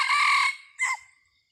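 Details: Red junglefowl crow recorded during decoy-bird luring on 30 October 2023: a loud, harsh, harmonic blast lasting about half a second, then a short, higher, clipped final note before quiet.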